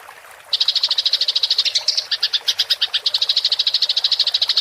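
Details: Fighting-style rolling chatter of a Eurasian tree sparrow, a tutoring recording for songbirds: after half a second of quiet, a rapid train of high, clipped chirps starts, with a brief shift to slightly louder notes midway.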